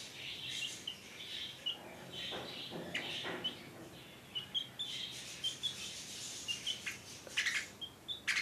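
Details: Two baby budgerigars in India fighting, giving rapid, high chirps and scratchy chatter in quick, irregular bursts.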